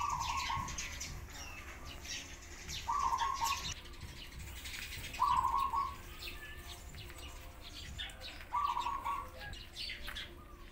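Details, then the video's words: Pigeons, with sparrows present, give short, mid-pitched, wavering cries about every three seconds, over soft rustling and flutters of wings. "Pigeons Crying Sound"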